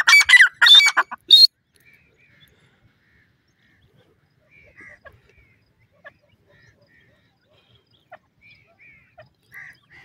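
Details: White francolin (teetar), male and female, calling: a loud burst of harsh, ringing, repeated notes in the first second and a half, then near silence with only faint scattered chirps.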